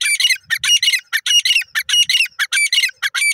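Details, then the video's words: Grey francolin calling: a fast, rhythmic run of harsh, squawking notes, each a bright broadband burst, repeated steadily with short gaps between them throughout the clip. No other clear sounds are heard. "Bhura Teter Ki Beautiful Awaaz"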